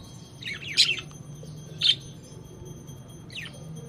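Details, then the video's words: Lovebirds chirping: a few scattered, quick high twittering chirps, one burst near the start and single chirps later, over a steady low hum and background noise. "Love Birds chirping Sound"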